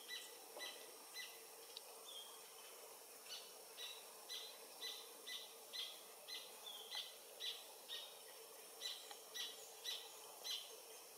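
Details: Adult paradise jacamar (Galbula dea dea), sex undetermined, singing near the Comté (Oyak) river, French Guiana, at 11:00 on 8 November 2023: a long series of thin, high whistled notes, about two per second, over a steady insect drone.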